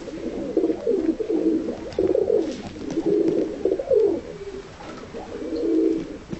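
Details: Tumbler pigeons in a loft, shy-seeming but easily controlled, producing continuous low burbling coos with overlapping phrases and a soft flutter-like scrape.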